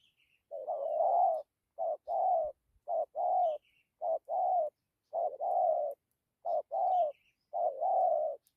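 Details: A spotted dove repeats low, husky two-note coos in a 'dặm' pattern, each a brief note then a longer rolling one, roughly every second. Faint high chirps of a small bird are heard now and then.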